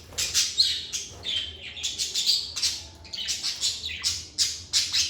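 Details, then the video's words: Continuous lively chatter from pet lovebirds in a quiet indoor space: rapid, high, rasping chirps and short squeaky whistles tumbling one after another with hardly a pause, over a soft low hum. "Lovebird Singing & Chirping Sounds"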